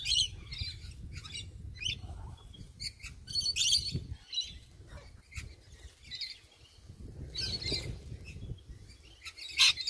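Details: Morning visit by sulphur-crested cockatoos: a busy run of rough, scratchy squawks and screeches overlapping one another, with a steady low rumble underneath.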